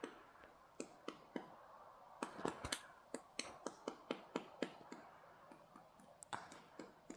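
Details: A Pileated Woodpecker, sex uncertain, chisels into a tree for breakfast on a snowy morning: sharp, dry knocks in uneven bursts of a few per second, broken by pauses, with no steady drum roll.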